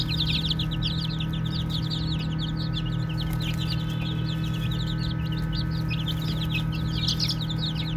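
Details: A brood of baby chicks chirps as they play, thin high peeps tumbling over one another about four per second, strongest at the start and end, above a continuous low hum.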